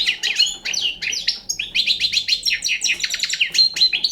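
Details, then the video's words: Young European goldfinch, called a Balkan bird, delivering dense high twittering song: quick chirps, rattling trills and scratchy notes run together almost without pause, ending on a thin sustained whistle. "Pesma štiglića- mladi balkanac 2"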